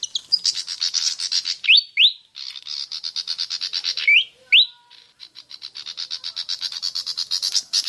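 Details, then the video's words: High, rapid chattering of a pied fantail, used as a lure to set birds singing: long runs of fast repeated notes with a few louder upslurred whistles, and a short pause midway. "Pancingan suara burung kipasan/srikatan jawa javanica)"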